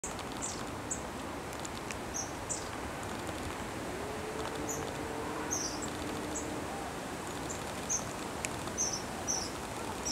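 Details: Long-tailed tits communicating at Haute-île trade thin, very high, short notes scattered every second or so, over a steady hiss of background noise with a faint low hum.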